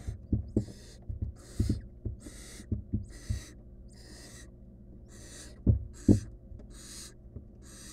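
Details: Wild barn owl nestling in a research nest box with a stolen rodent; breathy rasping hisses come about twice a second, mixed with thumps and scuffling as it handles the prey.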